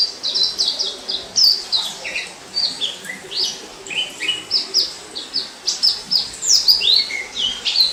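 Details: Free-living orange-headed thrush recorded in 2018: bursts of sharp, bright whistled notes and slurs, a few lower swooping phrases mixed in, sung in short energetic groups separated by tiny gaps.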